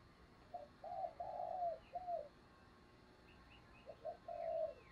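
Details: Spotted dove used as a decoy, cooing to lure wild birds. Two mellow phrases of short and longer falling coos play against background hiss, with faint high chirps from other birds.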